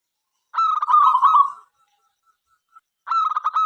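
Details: Local Indonesian zebra dove calling other doves into song: one long vibrating, rolling coo phrase, about a second and a half of near silence, then a new pulsed phrase starting.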